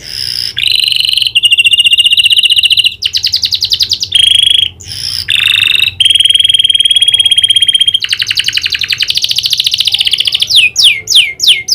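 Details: Canary singing vigorously, trained with a prinia-style clicking call: loud buzzy trills and long even rolls in separate phrases, ending with a quick run of sharp falling notes.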